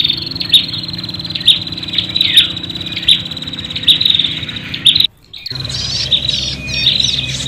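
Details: Agitated prinia calls for luring birds: a steady high trill punctuated by crisp chips roughly every second, a brief dropout, then renewed dense chattering over a low hum.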